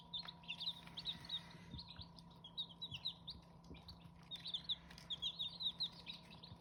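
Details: Qaib Hmoob chicks calling with clear, high, slightly downslurred peeps in quick clusters, steady chatter throughout over a faint background hum.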